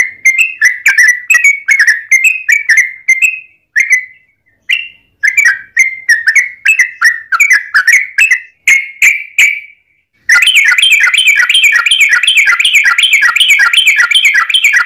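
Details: Bulbul, yellow-vented, in a long fighting song intended as a lure for rival singers. Repeated phrases of chuckling whistles with short breaks, followed after ten seconds by a dense, continuous, overlapping chatter.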